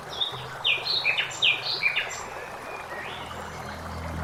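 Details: A common blackbird sings in a forest beside flowing water, a quick burst of high, squeaky twittering notes over about two seconds, then fainter calls, with steady flowing water underneath.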